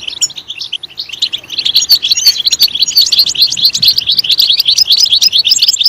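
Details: European goldfinch singing in a loud voice to stimulate other goldfinches: the song starts softly, then builds into a fast, continuous, bright twitter of high, tinkling and buzzy notes.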